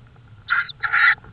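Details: Tawny owl calling at night in Estonia on 5 May 2013 at 22:30: a short harsh note followed quickly by a longer, louder rasping screech.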